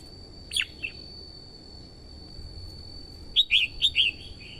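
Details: Red-whiskered bulbul hen luring wild birds and exciting the male: a steep downslurred note and a short follow-up, a pause, then a quick burst of five warbled whistles.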